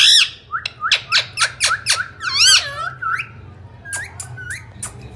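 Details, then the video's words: A talking Indian ringneck parakeet opens with a loud raspy squawk, then a rapid train of clicking downstrokes and a harsh squawk, trailing off into softer whistles and scattered ticks. "Talking parrots real voice ringneck"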